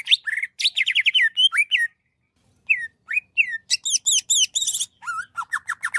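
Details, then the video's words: Greater green leafbird (cucak ijo) song made of quick whistled slurs and rapid trills. Each phrase changes pitch and style, with a short silent gap midway, then dense high chattering. "SUARA MASTERAN CUCAK IJO GACOR"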